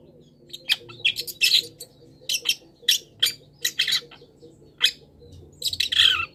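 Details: Long-tailed shrike singing with mimicked wild-bird phrases, a master recording for cage-bird training: scattered harsh, scratchy notes and short chattering bursts at irregular intervals, ending in a louder rasping phrase, over a faint steady hum.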